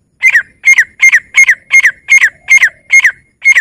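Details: Grey francolin calling: loud, clean double-note phrases with a sharp whistled note that drops away, repeated steadily about every 0.4 seconds in a quiet setting, with no other sounds.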